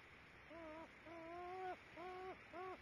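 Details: Two loons in view, recorded at 08:30, giving four soft, steady harmonic hoots, each about a third of a second long, with short gaps between them over a faint background hiss.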